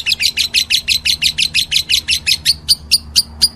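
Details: Meloloh calling by a lovebird: a rapid series of rough, buzzy chirps that thin out midway into cleaner, sharp high ticks, with a low hum beneath.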